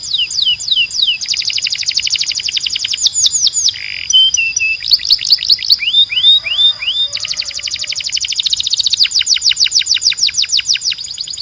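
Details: Training song of a canary, meant to tutor young males: fast trills alternate with sharp downward-swooping whistles, brief buzzy and upturned notes in the middle, ending in a long rolling series of quick slurred notes.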